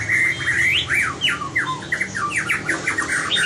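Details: White-rumped shama practicing competition song: a varied, fast string of slurred whistles, sharp downward strokes and short rising notes, mixed and richly modulated throughout.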